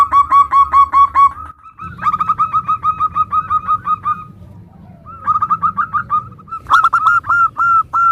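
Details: Zebra dove singing in a compilation meant to get other doves to answer fast: long runs of quick, evenly repeated whistled coos, a quieter stretch midway, then a loud final burst of rapid notes.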